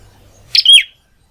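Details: Prinia, a lively singing bird kept at home, gives a single loud sharp chirp of two quick high notes, the second a bright falling whistle, with faint low murmur before it and silence after.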